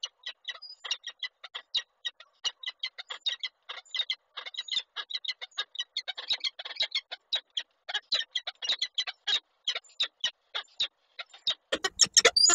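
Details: In Koszalin, Poland, on 8 March 2023, a male peregrine falcon brings a gift the female refuses. A fast, even stream of dry rasping notes runs throughout, growing louder and shriller at the very end.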